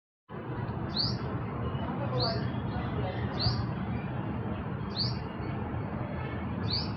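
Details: A black hummingbird gives a mating call of short, high, thin chirps about once a second, over a steady low rumble of wind or background noise.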